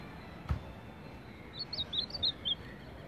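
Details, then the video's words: A brief baderna-style phrase from a champion Ultramarine grosbeak: about half a dozen quick, fairly soft whistled notes, each with a small rising-then-falling slur, heard over a steady background hiss and one low thump. "Azulão campeão de baderna!"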